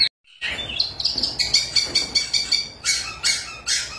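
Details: White-rumped shama song used as a lure to get silent shamas singing: loud, high whistled phrases and bright chirps repeated in quick bursts, over a strong steady background hiss.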